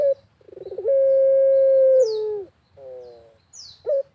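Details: Actively cooing Barbary dove in a rural setting: a fluttering pulsed lead-in swells into one long level coo that drops slightly at the end, then a softer wavering note and a short hoot; thin high twitters from other birds overhead.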